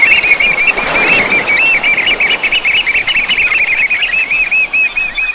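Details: Eurasian oystercatchers on the Breton coast, France: a continuous trilling piping chorus, many shrill notes blending into a steady rippling stream for the whole stretch, with wingbeats and surf mixed in.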